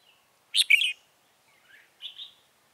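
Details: A red-whiskered bulbul decoy calls in wild birds during trapping, 28 February 2017. One loud, bubbling two-note phrase is followed by a softer, lower slur and a quieter whistled note.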